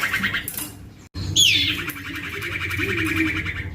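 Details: Juvenile male common iora, used to draw other ioras, gives a brief buzzy note, falls silent, then launches a high sliding whistle that dissolves into a long rapid rattling chatter.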